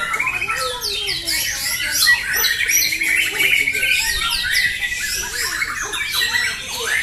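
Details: Fighter White-rumped shamas singing in a bird competition at Jatisari, Bekasi, Indonesia, on 14 June 2024. Fast trilled and buzzy phrases plus rich whistles run almost without pause, several birds overlapping, while low human voices talk in the background.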